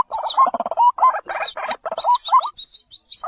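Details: Baby white-breasted waterhen (jal murgi): clusters of buzzy, gurgling notes end in short upward slurs, over high descending squeaky whistles and chips.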